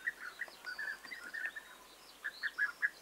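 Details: European bee-eaters on 29 May 2021 trading rolling 'prrip' notes: a cluster of calls at the start, a short lull, then four evenly spaced notes at the end.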